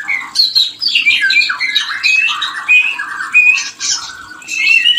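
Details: White-rumped shama breeding call used to trigger mating readiness in a bird stalled in production; dense run of harsh squawks mixed with clear whistled notes, continuous and loud, slight room echo.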